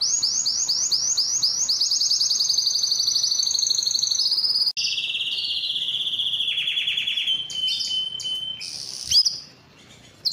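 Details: Canary singing a fast run of repeated high chirping notes that merge into a long, even trill, then an abrupt switch to a lower rolling trill that steps down, ending in a brief pause.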